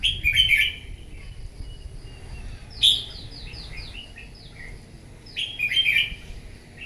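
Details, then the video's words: Wild-caught red-whiskered bulbul singing in a morning contest: a loud bubbly phrase, then a cascade of falling whistled notes, and a third rolling phrase near the close, all sharp and clear above faint hum. "Kích chào mào bổi hót đấu " luyện giọng chào mào hót buổi sáng kích chim hót đấu căng lửa"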